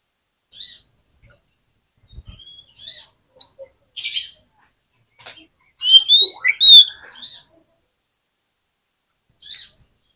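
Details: Sparse Oriental magpie-robin singing played to get reluctant birds to respond: scattered short buzzy notes, then one brief bright whistled flourish with rising and falling slurs, followed by quiet.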